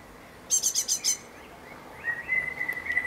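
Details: A great tit in a garden on 11 May 2014 gives five quick, high, evenly spaced notes, then a thin, slightly wavering whistled trill.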